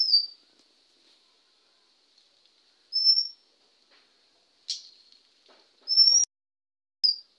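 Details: Male Oriental magpie-robin in India, recorded 20 May 2021 at 1:12 PM beside a house; short, high, clear whistled notes given every couple of seconds over a faint continuous hum.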